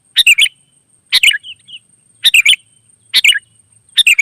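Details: Wild sooty-headed bulbul answering, a loud short bubbly phrase of two or three liquid notes repeated roughly every second, clean and close with a faint steady high hum behind.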